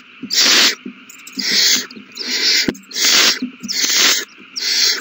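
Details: Young owls begging as they are fed, 27 March 2020: six drawn-out, harsh hissing screeches about one second apart, with a sharp tap midway and faint scratching between calls.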